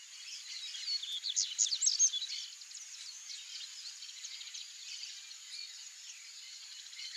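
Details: Male double-collared seedeater, known locally as coleirinho, singing: a burst of quick, high twittering and chipping notes in the first two seconds, then fainter twitters over a steady high-pitched hiss that runs throughout.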